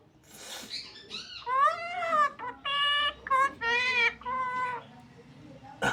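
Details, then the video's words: Indoor talking parrot giving rapid, nasal, word-like syllables in choppy bursts with steady and arched tones. A sharp click ends the sequence. "Burung beo sedang berbicara"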